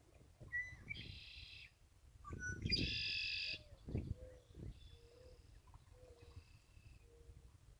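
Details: Red-winged blackbird repeating its song twice: a short whistled lead-in, then a rasping buzzy trill. Softer whistled notes and low, brief calls follow, over steady low background rumble.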